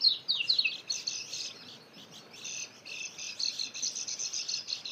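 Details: White-eye singing to lure wild birds: a burst of sharp, high slurred chirps at the start, then a steady stream of quick thin twitters, against faint background noise.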